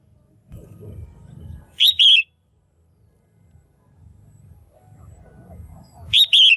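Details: Caged female red-whiskered bulbul giving her pairing call to stimulate males: two sharp double whistles roughly four seconds apart, separated by a low rumbling background hum.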